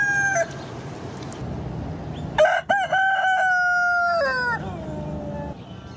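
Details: Rooster crowing at dawn on a farm over steady background noise: stuttered opening notes, then a sustained crow that drops in pitch toward its end, with a fading earlier crow at the start.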